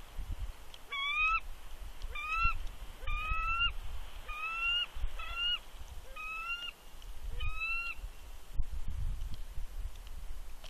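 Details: Female bald eagle at a Big Bear nest on 3 February 2020, giving warning calls at an intruding adult eagle while incubating eggs: series of about nine high, thin, slightly rising whistled chirps with harmonics, with low wind rumble beneath.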